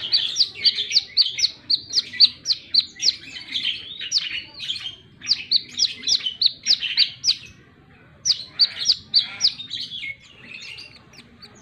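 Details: Plain-throated sunbird singing vigorously: long runs of rapid, sharp, high chips and twitters in bursts, broken by a short pause near the end before the chips resume.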